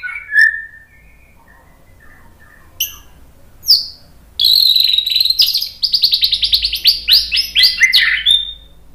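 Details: White-rumped shama song for luring: a lone whistled note and scattered chirps at first, then a sudden rapid sequence of bright, repeated high chirps and trills lasting several seconds.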